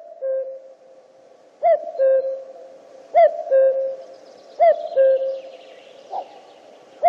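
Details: Common cuckoo giving its clear two-note cu-coo, a hooted higher note dropping to a lower one, repeated about every one and a half seconds, four calls in sequence, with faint background hiss and a soft distant note near the end.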